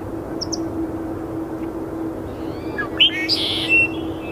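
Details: Juvenile red-winged blackbird at Iona Beach on 22 January, giving a cheerful spring song: a few thin high notes, then a sharp whistled note and a brief buzzy trill near the end, over a steady low hum and wind.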